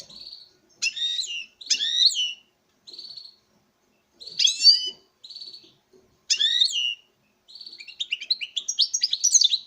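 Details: Male European goldfinch in a breeding setup sings before a female: rapid tinkling, twittering phrases broken by short buzzy nasal notes, several bursts with brief pauses, ending in a fast chattering run.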